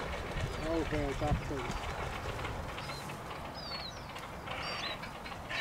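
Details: Great crested grebe (Podiceps cristatus) at a colony with nesting and courtship beginning, reed nests, sunset on 9 May 2023, gives a brief burst of harsh, nasal, stuttering calls, then thin high whistles from other birds over low rumble.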